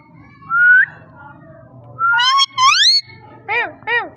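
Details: Parrot uttering a rising whistle, then two long swooping harmonic phrases, resembling talking, and two short arched squawks, over a faint low hum.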